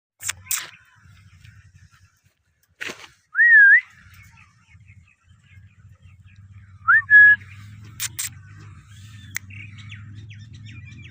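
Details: A blue Indian ringneck (rose-ringed parakeet) gives two separate clear whistled chirps, each wavering up and down, a few seconds apart, with sharp knocks and a low indoor hum underneath.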